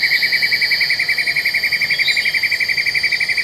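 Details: A black-and-yellow broadbill at Taman TAR, Congkak, West Malaysia, recorded in 2022, trilling in fast regular throbs, roughly four a second, steady in pitch, above a faint high continuous buzz.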